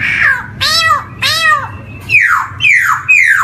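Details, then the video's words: Poksay hitam, the black-throated laughingthrush, singing as a lure for young birds learning to sing: two harsh arched harmonic notes, then three falling whistled slurs in quick succession. "PANCINGAN SPECIAL BUAT POKSAY YANG BARU BISA BUNYI | GARULLAX CHINENSIS SONG"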